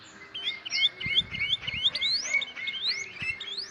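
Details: Tame sooty-headed bulbul from Kebumen singing bright high whistles, a series of quick rising upslurred notes repeated about three times a second over a steady thin tone, with faint background noise.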